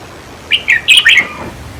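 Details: Red-whiskered bulbul singing, played to stir up caged birds; a single cheerful phrase of four warbled whistles, the last note sliding downward, over low background hum.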